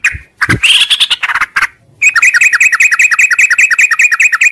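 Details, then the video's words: Sooty-headed bulbul, morning, long ngropel song. Opens with a few scratchy chirps, a pause, then a fast, even run of sharp, clipped, up-and-down notes repeated about five times a second. "suara trucuk ngropel panjang di pagi hari"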